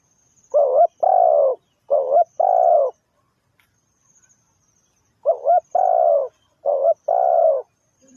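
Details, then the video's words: Spotted dove cooing, used as lure bird in trapping: two clear phrases, each a short rising-falling note followed by a longer steady coo, separated by a few seconds of silence; faint high hiss in background. "The Sound Of Spotted Dove is so good"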